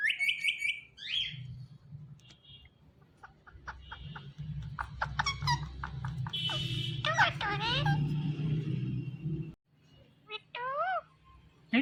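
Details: Talking Indian ringneck parrot kept as a pet: a high trilled squeak, then a busy stream of short chattering notes and curving, wavering vocal sweeps. Low household hum runs beneath and drops out near the end.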